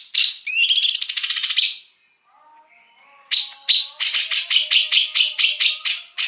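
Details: Wild greater green leafbird singing for a lure: a loud buzzy rattle, a quiet gap with faint tones, then a fast steady series of sharp high notes.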